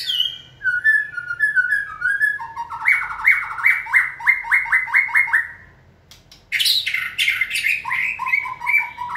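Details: White-rumped shama kept for singing training, prompted to sing; a run of repeated buzzy chattering notes in a fast even series, followed after a short gap by loud harsh bursts and more rapid chatter.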